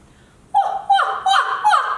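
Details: A Barred Owl family, together while raising young toward the end of summer, gives its contact call: four harsh, wavering, drawn-out notes in quick succession, each dropping at the end, sounding like a troop of monkeys.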